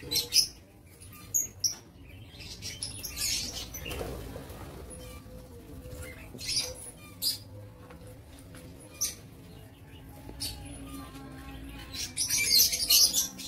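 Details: Lovebirds in an aviary, recorded on 07 April 2023: sharp, shrill chirps in short scattered bursts, with a loud run of screechy notes near the end over a low background hum.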